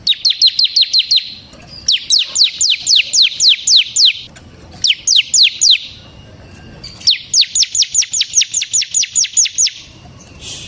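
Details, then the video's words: Captive bar-winged prinia singing persistently as a lure and tutor for other prinias: rapid trains of bright, high descending chips in four bursts of varying length, with brief gaps between them. "suara burung CIBLEK SEMI GACOR Ngebren Ampuh untuk Pancingan Ciblek Kristal dan Masteran Ciblek"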